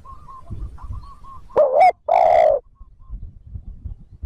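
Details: A spotted dove's luring coo: a brief wavering note and a drawn-out, deep hoot. Before it, faint, thin whistled notes from another bird and a low rumble can be heard.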